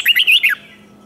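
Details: Red-whiskered bulbul singing in competition, used to provoke rival singing and train the voice: one brief phrase of four quick, bright, warbled notes, sliding up and down, ending in a falling slur, then quiet.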